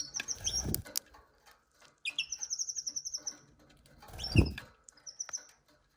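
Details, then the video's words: A canary delivers a rapid high trill of many even pulses between brief chirps, with dull thumps and rustling nearby. "Canary Canari Kanarienvögel"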